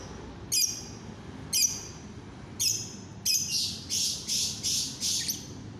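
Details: Lovebird in cloudy, overcast weather: sharp high squawking chirps, first spaced about once a second, then a faster run of five or six harsh buzzy notes near the end, over a low steady background hum.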